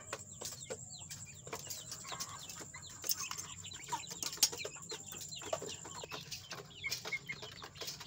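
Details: Young chicks, a newly added group said to be fighting, giving many short high peeps and chirps, some rising or falling, overlapping throughout, with scratching and knocking sounds and a steady high hiss.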